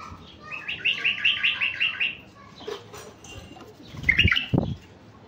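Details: Mutant male white-eared bulbul, kept as a stud to attract wild bulbuls, delivers a run of about eight evenly spaced warbled notes. Later come a few rising chirps among dull knocks and wing-like flutters.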